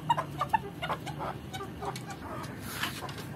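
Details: Swedish Flower chicken, a rooster with a hen, giving soft, quick clucks: a few short notes in the first second, then scattered ones, over a steady low hum.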